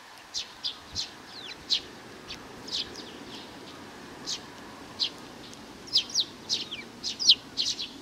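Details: Sparse, thin high chirps from a young sparrow, spaced about half a second to a second apart, some slurred downward, over a quiet steady background hiss.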